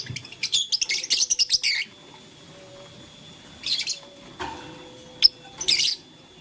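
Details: Blue, lutino and green lovebirds playing with a flower indoors give rapid bursts of high, sharp chirps in a quick run during the first two seconds, then two shorter chirp clusters separated by quiet pauses.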